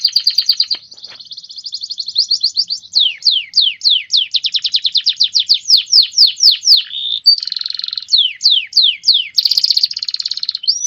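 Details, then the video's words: Loud loper canary song variation, a long sequence of quick high repeated notes running into a series of steeply falling whistled sweeps, interrupted by short buzzy trills and ending on a rising note. "14 variasi suara burung kenari loper"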